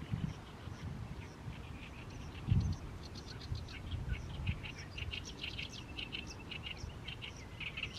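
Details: Oriental reed warbler singing on and on in the evening sun over a fallow rice field in mid-May; faint, distant harsh notes repeated in quick bursts, with a steady low rumble of background noise.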